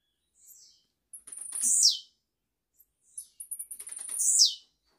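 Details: A blue-black grassquit, recorded live to tutor young birds, gives two short, high, buzzy phrases about two seconds apart, each a quick burst of ticks ending in a sharp, descending wheeze.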